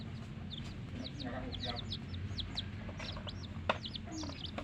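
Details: Hen's baby chicks chirping: a busy stream of sharp, high, descending peeps, several overlapping and irregularly spaced, with a low murmur and one brief click in the background.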